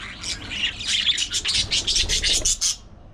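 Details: Budgie gossiping in a rapid run of bright chirps and harsh squeaky notes, rising in loudness, then stopping abruptly near the end.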